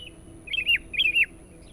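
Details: Lure recording of a sooty-headed bulbul singing insistently: two short warbled phrases, each rising then sliding down, separated by a brief pause, against near silence and a thin constant high hum.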